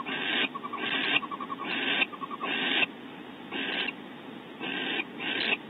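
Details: Barn owl pair in their cavity at Audubon Starr Ranch, California, on a bonding visit with prey from the male; seven harsh hisses interspersed with brief chains of soft, rapid chittering notes.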